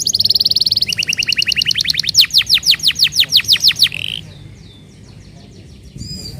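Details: Lure song of a canary meant to make other canaries sing: a rapid high trill, a slower rattling series of sharp notes, then near silence with faint chirps.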